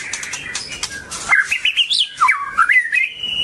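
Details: Long-tailed White-rumped Shama singing a rich, varied phrase of looping whistled notes that swing up and down, ending on a sustained steady whistle, with scratchy clicks in the first second.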